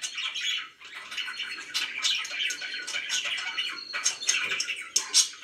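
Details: Pet budgerigar in a small room with ongoing buzzy warbling and rasping chirps, ending with a few brighter, sharp squeaks that stand out over the chatter.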